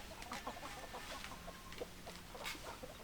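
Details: A farmyard flock of hens gives short, overlapping clucks over a steady bed of background noise.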